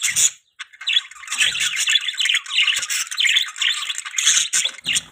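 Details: Pet budgies in a continuous stream of harsh, buzzy chirps and squawky warbles, almost without pause, several birds overlapping.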